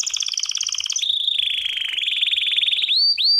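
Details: Belgian canary singing a training song: fast pulsed double-toned trill sliding into a long rolling trill that gradually rises, ending with two quick upward-sweeping whistled notes.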